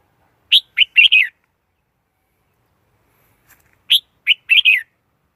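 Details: Red-whiskered bulbul repeating a cheerful, chirpy four-part phrase twice, each a quick sharp note followed by a bubbling, slurred flourish, with a quiet pause between.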